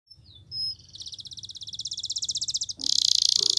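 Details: Quieter canary training song: a faint whistle, then an accelerating high trill that builds in volume before switching to a loud, fast buzzy roll.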